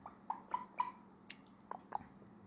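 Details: A 47-year-old red-lored Amazon parrot, sitting on a couch and preening, gives soft, short mid-pitched chirps in two quick bursts with a single sharp click between them, in a quiet room.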